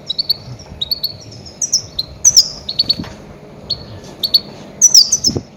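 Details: Goldfinch cries used when trapping grey-headed goldfinches. High, bright chirps fall in quick clusters, some of them slurred downward, repeated steadily across the clip over soft background rumble.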